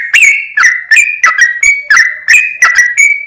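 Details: Sooty-headed bulbul giving vigorous 'gacor' song, a series of short bubbly whistles, some doubled, spaced irregularly about every third of a second, loud and clear with no other sounds.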